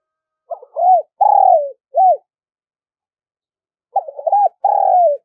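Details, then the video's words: Spotted dove giving its lure call: one full phrase of rapid short notes, drawn-out coo and clipped end note, then silence, then a second phrase beginning with the same stuttered notes and long coo. "tiếng cu gáy gọi, tiếng chim cu gáy kích bổi nhanh nổi nhất"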